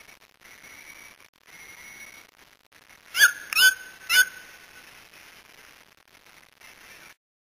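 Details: Three loud, harsh yelping notes from a Brazilian white-throated toucan, delivered close together in the middle, each briefly rising and falling; before and after, only a quiet steady whine and soft background hiss.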